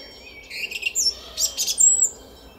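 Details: Garden song thrush at dawn in spring, Szalkszentmárton, April 2021: a brief, dense cluster of high chirping and whistled notes with a rising thin whistle at the end.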